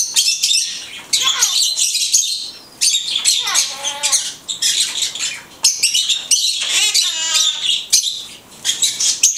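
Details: Blue-headed conure talking: bursts of harsh high chatter mixed with short, voiced, word-like tones that slide downward, repeated in busy phrases with brief gaps.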